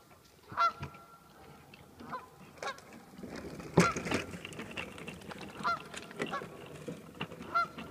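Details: Geese at a cabin in Millville: loud, nasal honks in short harmonic bursts, about four main calls spaced one to two seconds apart, with softer honks and rustling in between.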